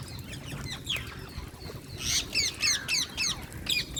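Indian parrot giving bright, sweeping chirps in quick bursts, about three to four a second, rising and falling in pitch over a low background rumble.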